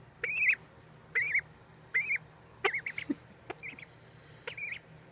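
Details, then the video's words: Duckling peeps ring out loud and close, high chirps with a rise and fall repeated about once a second, joined by a few sharp clicks and scratchy knocks. "The Baby Ducky Peeps"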